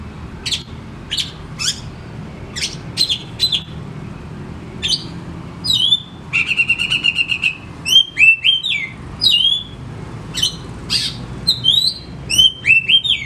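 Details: Oriental magpie-robin (kacer), a cage bird, sings to coax silent birds: widely spaced sharp chip notes at first, then a dense buzzy rattle, giving way to rapid clear whistles and slurred phrases in fast bursts.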